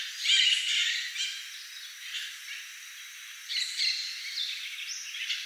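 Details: Raucous squawking of macaws in Manuel Antonio, Costa Rica: a loud rasping burst at the start, quieter scratchy calls in the middle, then another harsh burst of squawks after three and a half seconds.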